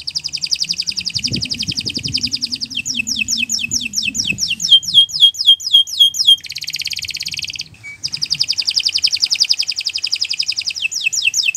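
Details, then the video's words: Canary song used as masteran, a tutor recording for training other birds: long, busy run of rapid trills, fast buzzy rattles, repeated downslurred whistled notes, and a brief pure whistle, with faint low noise beneath early on. "Kicau Burung Kenari 174 II LUAR BIASA GACOR PANJANG Cocok untuk Masteran"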